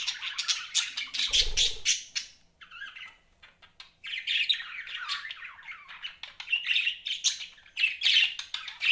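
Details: Pet budgerigars give fast raspy chirping and warbling chatter, with a low thump early on, a brief lull, then steady chattering again.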